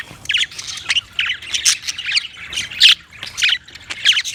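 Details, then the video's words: Budgies giving short harsh squawks and chirps in separate bursts, roughly two or three per second, some notes sharper and louder than others. "Funny Budgies Sounds"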